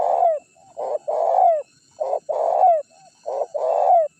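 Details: Decoy cooing of a spotted dove, used to lure wild doves and bring challengers in. Three loud two-part coos, a clipped opening note then a drawn-out burry coo ending in a falling slur, spaced about a second apart.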